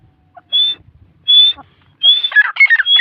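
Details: Grey francolin (dakni teetar) at Taunsa, where chicks are present: two separate high whistled notes, then a third run straight into a rapid tumble of harsher, jumbled notes.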